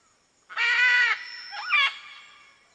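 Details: Macaw producing a harsh, sustained screech followed by a shorter, bending squawk that rises and falls, with lingering echo.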